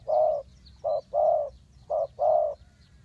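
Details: Spotted dove used as a decoy in bird trapping: steady low coo phrases, a short note then a broad long coo, repeated twice in a regular rhythm.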